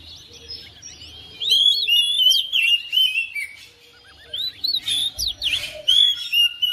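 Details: Oriental magpie-robin kept at home takes up another bird's song within seconds; after a quiet start come loud zigzag whistles and chirps, a brief lull, then another energetic burst of quick notes.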